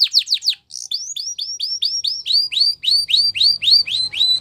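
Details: Belgian canary singing quick descending sweeps, a short buzz, then a long steady series of rising hooked whistled notes about four per second.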